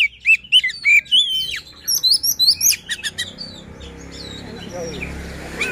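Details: An Oriental magpie-robin, used as a lure to get other magpie-robins singing, gives a quick run of varied, clear whistles and sharp chirps for about three seconds, then fades into soft hiss.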